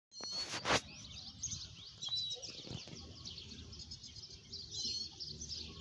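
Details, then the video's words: Lesser goldfinches squabbling and singing: a fast, jumbled twittering of high, thin notes with a few clear whistles, running without pause, over faint rustling and a couple of sharp knocks. "jilguerito domínico o chichinmbacal peliando y cantando"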